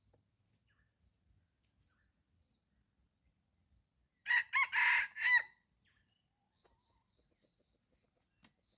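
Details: Morning red junglefowl, wild birds drawn in by a decoy. Near-silence broken by a single loud, rasping crow of four linked syllables lasting about a second, with faint clicks before and after.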